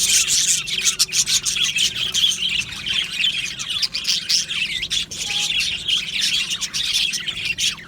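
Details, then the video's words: Budgerigars in an aviary colony, Australian parrots, singing and chirping: a dense, continuous mix of many high chirps, warbles and squawks overlapping with no pauses. "Beautiful Budgie singing and chirping sounds"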